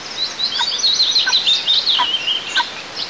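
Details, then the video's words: Nestling eagles on a camera-monitored nest in southeast Tatarstan, 6 July 2024, protesting the mother feeding alone: one continuous, thin, wavering high squeal that trills up and down for nearly three seconds. "Дети не согласны, что мама ест одна"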